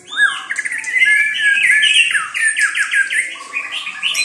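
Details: White-rumped shama pouring out a dense, rapid medley of trilled and rattling phrases, ending in a lower steady trill.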